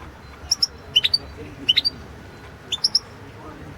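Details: European goldfinch singing in a 2016 world championship competition recording: sparse, sharp high chirps given singly and in pairs or threes, spaced by short gaps over low background hum.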